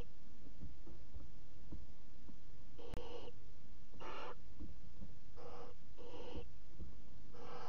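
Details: At 22:00 on 5 August 2017, barn owl chicks in a nest box flap their wings. A sharp click is followed by five rasping hisses, each about half a second long and spaced one to two seconds apart, over a low rumbling background.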